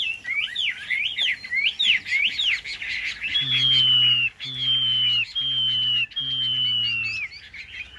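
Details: A caged Chinese hwamei pours out fast twisting whistled notes, then repeats a long, clear, slightly falling whistle four times, each about a second long, over a low steady hum.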